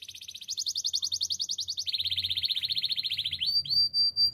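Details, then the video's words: Singing canary used as training song: rapid even rattling trill at high pitch, stepping down to a slightly lower trill midway, then ending in a few drawn-out clear whistled notes. "Bird sounds canary chirping - The beautiful canary song"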